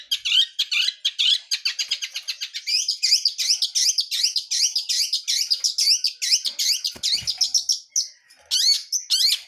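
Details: Wild long-tailed shrike, blangkon type, delivering an energetic continuous song full of fills: dense, rapid, wavering chirps and twittering phrases with almost no pauses, ending in a few louder sharp notes.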